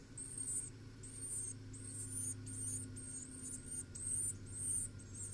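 Carolina wren at the nest: very high, thin hissing squeaks in bursts, about two per second, over a steady low hum.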